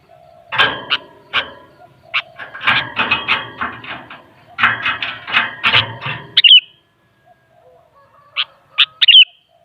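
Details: Sooty-headed bulbul, called kutilang, with a long burst of harsh rattling clatter and chattering, then after a pause a few clear short chirpy phrases with a falling whistled ending.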